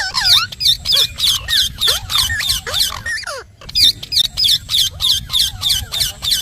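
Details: Pet parrot chattering rapidly, sharp bright syllables repeated about three times a second in a steady pulsing stream, with a brief pause midway and a few downward-swooping notes early on.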